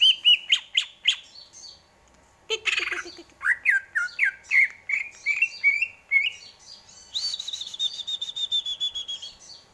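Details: Greater green leafbird with varied song: sharp downward chips, a brief low rattle, rising and falling whistled notes, and finally a rapid high trill held for about two seconds.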